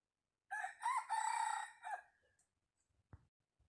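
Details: Wild junglefowl kept as a decoy rooster gives a single strong crow of about a second and a half. It opens with a short note, then holds a rasping, slightly wavering tone. A soft knock is heard afterwards.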